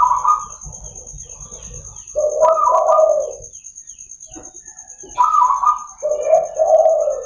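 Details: Zebra dove of local stock singing in the morning, meant to lure and train other zebra doves: repeated phrases of a higher coo followed by two rolling lower coos, separated by quiet pauses, with a steady thin high whine.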